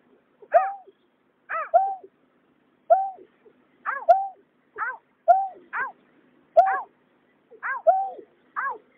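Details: Greater painted-snipe, male and female, recorded in 2021 in a night bird-trapping context: a quick run of paired, harmonic, downslurred nasal notes, each pair a short high note then a lower one, repeated about once a second over a quiet background.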